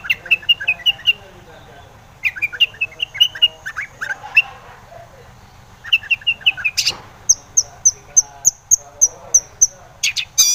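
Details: Long-tailed shrike used as a lure to make other shrikes sing: short runs of quick chattering notes, then a line of high, thin, evenly repeated notes.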